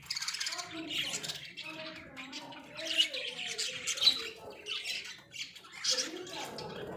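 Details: Several caged pet budgerigars mix raspy squawks with a lower, wavering warble, producing a continuous, uneven chatter with a few louder peaks.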